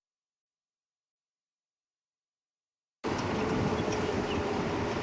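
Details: Three seconds of silence, then steady wind and vehicle rumble with no animal voice.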